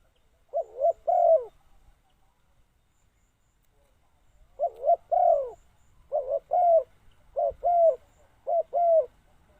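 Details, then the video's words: Decoy spotted dove cooing to lure wild doves: short groups of two to four low, hollow coos, with a long pause after the first pair. Clear and dry, with no other birds heard. "chim cu mồi gáy gọi bổi"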